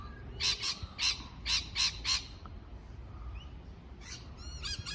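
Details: Parrot giving a run of five harsh, buzzy chirps in the first two seconds, then a pause and a few quicker, higher calls near the end, over a low background hum.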